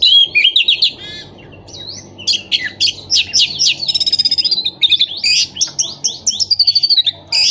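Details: Orange-headed thrush song played to stimulate moulting, silent or non-breeding birds: a rich, fast medley of varied whistles and warbled phrases, with rapid trills and buzzy notes, continuous and loud.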